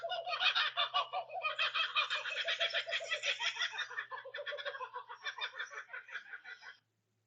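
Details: Laughing Kookaburra chorus, a territorial call announcing location: loud, raucous chuckling notes rolling rapidly, rising into a frantic cackle then tapering, volume shifting as several birds join in; a low hum underneath.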